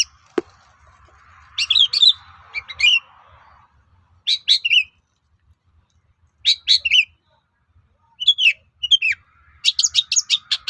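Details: Song of a long-tailed shrike used as a lure to get other shrikes to reply: repeated short bursts of scratchy, buzzy chattering notes separated by pauses, with a faint hiss early on.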